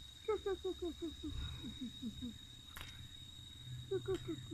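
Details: Reeves's pheasant, pecking at ants, gives a quick run of about nine low, clucking 'kuk' notes, each dropping in pitch, then a second short series, against a steady electrical whine and a couple of clicks.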